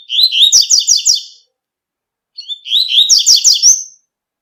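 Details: Two bright, hurried warbled phrases from a double-collared seedeater singing tui tui in nature. Each phrase lasts over a second, and there is a clear gap between them.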